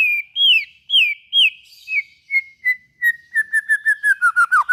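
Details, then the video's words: White-rumped shama song used to stimulate other shamas to sing: clear whistled notes, first slurred downward, then a run of short notes speeding up to about two per second and falling slightly in pitch. "suara burung murai batu buat merangsang bunyi murai batu"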